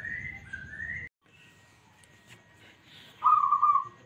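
Zebra dove giving a single loud, slightly trilled coo near the end, after a few clear higher whistled notes and a quiet pause.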